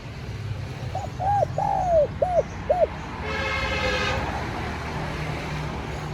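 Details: Spotted dove calling to lure wild doves, giving a five-note phrase with a long sliding middle coo. A horn-like, many-toned blast follows briefly, over constant low rumble.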